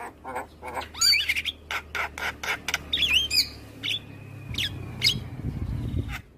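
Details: Morning song of a white-eyed Javan myna for training other birds: dry clicking notes, a few sharp whistles and a long flat whistle, with low rumbling noise underneath.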